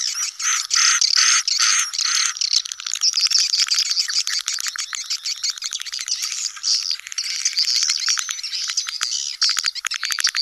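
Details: Swiftlet colony chorus known locally as "koloni sedot anakan", suited to new buildings: continuous, busy, high chattering and buzzy twitters from many birds, interspersed with rapid clicking bursts.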